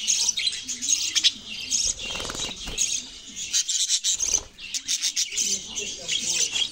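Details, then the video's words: Budgerigars singing: busy high twittering and chattering throughout, with a buzzy rattling stretch and softer lower murmuring notes underneath at times. "Sound of Budgies Birds | Beautiful Parrot Singing voice"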